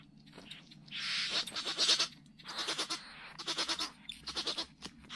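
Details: Great bowerbird displaying at Lake Bennett, Northern Territory, Australia, on 27 August 2020; loud harsh grating churrs and rasping bursts in several clusters, with short clicking notes between them.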